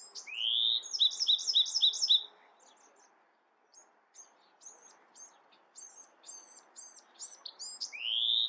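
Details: Bewick's wren singing: a buzzy rising slur and a fast five-note trill, followed by a long series of softer, evenly spaced high chips. A new buzzy phrase begins at the end.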